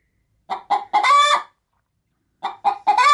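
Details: Pet chicken preparing to lay in a chicken-feed bag, reacting to an approaching person with two bouts of two or three short clucks, each ending in a strained, stretched cackle.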